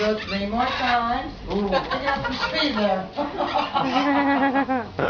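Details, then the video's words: Speech-like chatter from a talking parrot: quick syllables with rising and falling harmonic glides, broken by a short dip in level near the middle. "Parrot Talking"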